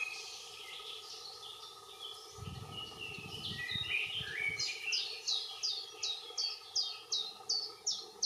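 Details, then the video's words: A common chiffchaff sings a steady chain of high, sharp alternating notes, nearly three a second, after jumbled twittering and a brief low rumble, with a common blackbird also in the background. "Pouillot véloce qui chante"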